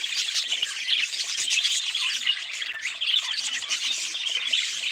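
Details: Many budgerigars twittering together: unbroken, grating warble with rapid chirps layered over one another at an even loudness.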